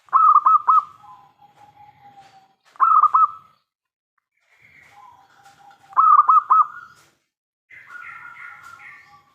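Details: Local zebra dove (perkutut lokal) prized as a prolific singer, its loud song used to provoke other doves into answering. Repeated bursts of rapid, rolling coos, each trailing into a soft, long, lower coo, with a fainter dove answering near the end.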